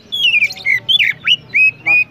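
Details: Loud, rapid phrases from an Oriental magpie-robin (kacer) in full song: descending whistles, sharp upward-swept chirps and flat sustained notes follow one another quickly, with a soft low hum underneath.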